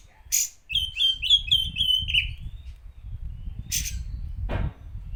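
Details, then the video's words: Magpie-robin song played to provoke rival birds, a quick series of five or six descending whistled notes, then sharp bursts over a low rumbling background. "Pancingan untuk emosi kacer"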